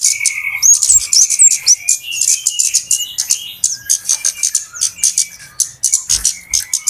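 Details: Flowerpeckers in an agitated lure recording meant to draw birds in for trapping: steady high, dry chips in quick succession, with a few thin slurred whistles early on.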